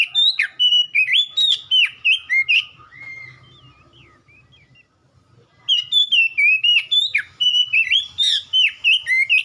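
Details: Oriental magpie-robin (kacer) song, used as ombyokan training material to make caged birds respond and sing: loud runs of sweet slurred whistles and sharp chirps, about four notes a second, broken midway by a quiet gap with faint distant notes.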